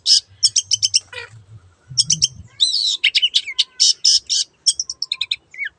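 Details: Long-tailed shrike with a chattering, mixed song of rapid high chips, rasping buzzy phrases and occasional downslurred whistles, with a brief low thumping sound early on.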